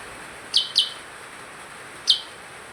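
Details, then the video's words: Percang bird calling actively: three short, sharp high chirps, two close together near the start and one more after a pause, over a steady faint hiss. "Burung percang gacor"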